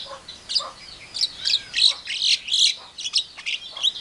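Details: Javan myna mimicry of a hen calling chicks, an Asian pied starling and a hungry civet: a dense, continuous stream of harsh, buzzy chatter and squeaky notes.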